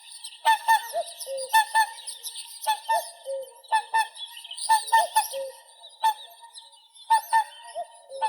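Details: Whooper swan (Cygnus cygnus), call.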